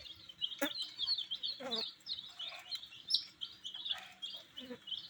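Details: Baby chicks, brightly colored, pecking wheat while peeping rapidly in high, piercing notes, several callers together, along with knocks of beaks and feet.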